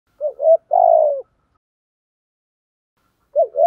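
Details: Spotted dove cooing, used as a lure to attract other doves: two short coo phrases, a brief note then a longer trembling coo, followed by silence and a fresh phrase starting at the end.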